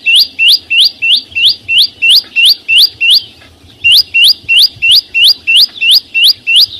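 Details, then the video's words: A bird known locally as chim sâu xanh sings a fast, steady series of short, high notes that slur upward, about three each second. The series breaks off briefly, then resumes at the same pace. "ssuab no9ó txeeev quaj zô heec tiếng chim sâu xanh hót chuẩn"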